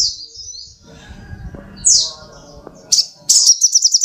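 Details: Little spiderhunter (sogok ontong) song: scattered thin high notes and a loud downslurred whistle, then a rapid pulsing run of sharp high notes at the end, over a low rumbling background.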